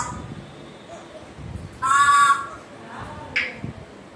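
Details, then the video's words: African grey parrot: a loud, clear, steady whistled note with stacked harmonics lasting half a second, then a softer short call, over a background of low room noise. "african gray parrot sounds"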